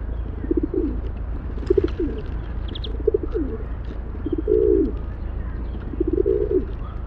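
Rock pigeon giving low, throaty coos in short rolling phrases, about one every one to two seconds, over a steady low rumble.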